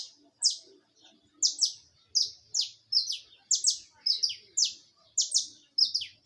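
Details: Saffron finch singing live with an almost continuous chain of loud, high, downslurred chirps, many in doublets, repeated about every half second throughout.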